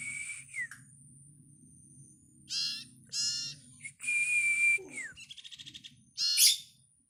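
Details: Young bar-winged prinias calling in short, harsh, high bursts, followed by a fast stuttering series of clipped notes and a steady whistle that slides downward, over a low background hum.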